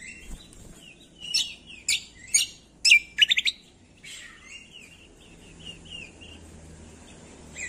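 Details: Greater green leafbird song meant to prompt lazy birds to sing: several loud chirps, a fast cluster of three or four sharp notes, then a long stretch of soft wavering whistled warbles.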